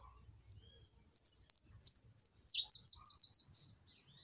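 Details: Maquina-style song of a saffron finch: a rapid run of about thirteen high, clipped, downward-sweeping notes that quicken and pack closer together toward the end, over a faint low background rumble.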